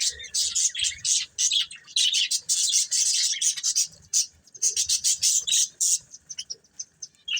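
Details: Colourful budgerigars of a breeding pair chirping: bursts of bright, scratchy high warbles and rapid tweets come in runs with brief pauses between them.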